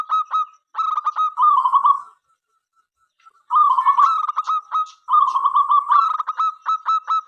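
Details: Actively singing local zebra dove, whose song invites other doves to join in, gives rapid staccato coo notes that run into a rolling trilled phrase, a pause, then further trills and clipped repeated notes.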